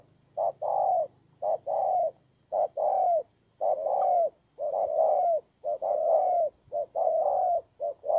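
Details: Decoy spotted dove from Kon Tum, Vietnam, kept as a ground lure bird: steady series of soft, low coos, each a brief note then a longer slurred coo, repeated rhythmically without pause; a faint low hum underneath early on.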